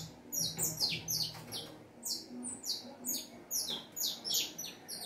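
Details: Saffron finch song of high, clipped chirps delivered in pulsed groups, roughly two per second, each a quick downward-sliding note; faint low hum in background.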